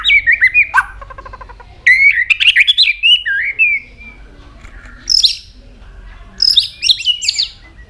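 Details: White-rumped shama changing voices as it sings and flicks its tail: a varied medley of looping whistles, a fast rattling trill and long warbled runs, later switching to higher thin twittering phrases with pauses between.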